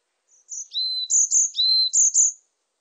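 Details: Varied tit singing one phrase: thin, very high whistled notes alternating with lower drawn-out tones, about seven notes in two seconds, on a silent background.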